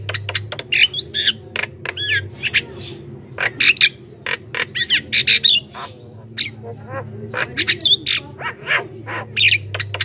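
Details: Javan myna singing a busy, chattering lure song meant to draw wild mynas: rasping squawks mixed with bent whistles, delivered in dense irregular bursts over a faint low hum.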